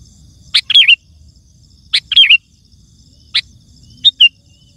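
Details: Sooty-headed bulbul song used to call wild birds: repeated brief phrases every one to two seconds, each a clipped chip followed by quick liquid whistles, the last phrase shorter and broken.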